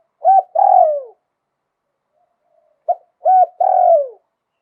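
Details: Zebra dove kept by Thai bird fans, singing lio tan style with a wild-type tone: two phrases about three seconds apart, each a quick note, a bent note and a drawn-out, purring trill falling in pitch. No other sounds.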